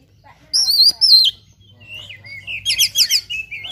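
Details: Oriental magpie-robin (kacer) in fighting mode, singing a fired-up song full of mimicked fills: loud high whistled slurs and wavering trills, then quieter rising whistles and a run of rapid chattering notes.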